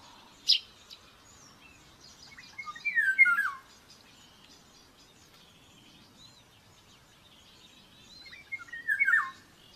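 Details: Nest camera in Tiszalök, Hungary, May 5, 2024: an aggressive common buzzard nestling begs at breakfast feeding, giving two falling, whistled squeals about six seconds apart, preceded by a sharp tick, over quiet background birdsong.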